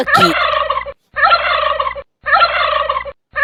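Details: Domestic turkey gobbling: a loud, rapid, rattling gobble burst repeated three times, each about a second long and separated by short silent gaps, with a brief sharp noise at the start.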